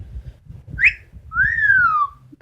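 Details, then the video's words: Pet Amazon parrot giving a short upward whistle followed by a long smooth whistle that rises slightly and then glides down. Low room rumble sits beneath it. "The many sounds of Lily, an amazon parrot"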